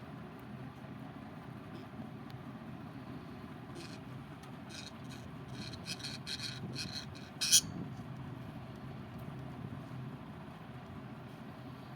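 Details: Low traffic rumble with a run of scraping, rattling noises and one sharp knock; no animal voices.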